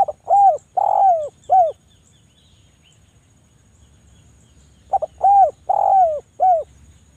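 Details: Javan spotted dove used to lure reluctant doves into calling, repeating its cooing phrase twice about four seconds apart, each a stuttered opening and three arched, hollow coos, with a faint steady high whine throughout.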